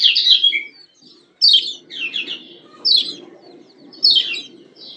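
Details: Female yellow white-eye from Lombok, kecial kuning, calling to stimulate males: bright, high chirpy phrases that slur downward, repeated every second or so, over a steady low hum.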